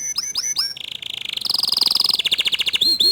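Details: Response from young canaries to a gacor dor canary: hooked chirps lead into a flat, steady, buzzy tone, then a fast bright trill and two final upward-curving notes.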